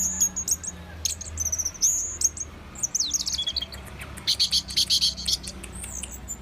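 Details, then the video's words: Orange-headed thrush in full song: thin high whistled strings, scratchy buzzy notes and a burst of rapid repeated chips, delivered in varied phrases with brief gaps, over a faint low drone. "Anis merah super jos(bird sounds)"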